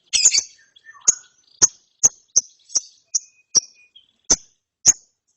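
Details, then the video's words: Lovebird chick after therapy opens with a harsh burst of notes, then a steady string of thin high chirps about every half second. "ANAKAN LOVEBIRD NGERIWIK SETELAH DITERAPI"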